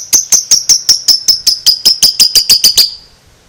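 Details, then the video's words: Lovebird aged two months delivering a short ngekek trill of sixteen shrill chattering notes, about five per second, slightly falling in pitch and quickening before stopping abruptly. "Lovebird 2 Bulan gak BAKALAN DIAM, Langsung NYAUT NGEKEK"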